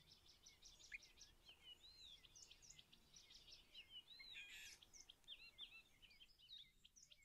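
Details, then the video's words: Wild European bee-eaters around their nest burrows, a steady stream of high, rapid chirping and trilled notes overlapping for seven seconds, likely several birds, with a brief burst of noise in the middle. "Żołna pszczołojad, European Bee-eater, Bijeneter, Золотистая щурка, norki żołn, song, głos żołny"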